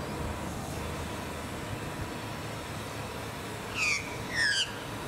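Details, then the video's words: Blue-faced honeyeater on the Sunshine Coast, Queensland, February 2020. After a stretch of rumbling background noise, two short, descending, whistled calls come near the end. "Blue-faced Honeyeater"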